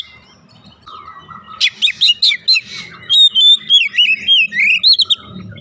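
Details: Oriental magpie-robin singing as a lure: a steady low whistle, then loud rapid sweeping notes and clicks, followed by a run of bright, wavering whistled phrases with a faint low hum beneath.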